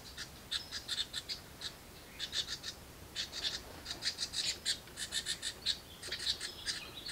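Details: House wren nestlings inside a birdbox begging as a parent brings food: rapid raspy, buzzy high bursts in clustered runs of several notes, with short pauses between groups.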